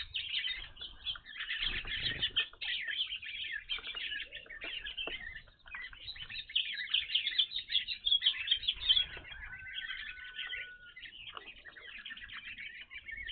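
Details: Evening grosbeaks feeding at a bird feeder where they had not appeared before: rapid, irregular chirps from many birds, roughly two or three per second, one drawn-out level whistle near ten seconds, and light tapping sounds.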